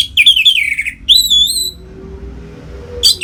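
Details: Orange-headed thrush song of the ngeplong type, used to bring other birds into breeding condition: a descending warbled run, then a long wavering whistle, then quiet hiss before a short sharp note at the end.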